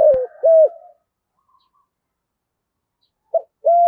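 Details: Spotted dove in the thổ voice style, urging and calling: a falling coo and a level hooted note, a long pause, then a clipped short note and another steady hoot.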